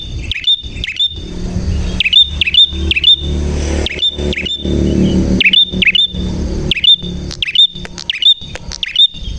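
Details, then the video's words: Prinia pouring out rapid chains of sharp, ticking chirps in clusters of two to four, with passing traffic rumbling loudly in the background. "Burung Prenjak Gacor Suara JERNIH"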